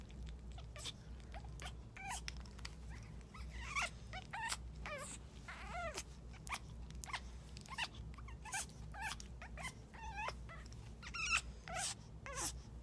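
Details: An African grey parrot hen shows mating behaviour after laying an egg that day; steady stream of clicks, brief harsh notes and quavering zigzag whistles, with a constant low background hum throughout.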